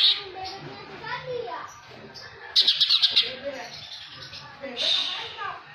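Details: Greater green leafbird (cucak hijau) with kingfisher-call imitations in its repertoire, singing varied warbled phrases broken by two bursts of rapid, high, rattling chatter, with faint human voices in the background.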